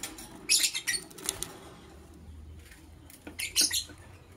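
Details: Lovebird chirping in the morning: a cluster of short, harsh, high-pitched chirps early on, a quiet pause, then another rapid burst of shrill notes near the end.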